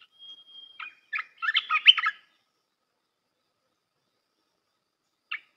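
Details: Red-whiskered bulbul training song for young birds: a thin steady whistle leads into scattered chirps and a bubbling burst of quick whistled notes, then long silence and one last short chirp.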